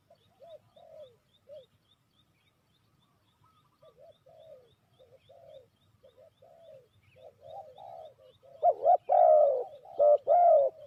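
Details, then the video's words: ['Spotted dove used to lure birds into a trap: faint scattered coos with soft regular ticking in the background, building to loud repeated low coo phrases near the end.'] "Sound Of Spotted Dove is so good"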